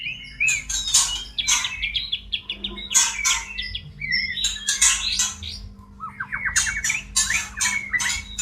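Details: Caged white-rumped shama in breeding condition gives rapid stuttering whistled trills and harsh squawking bursts against a noticeable background rumble and hum.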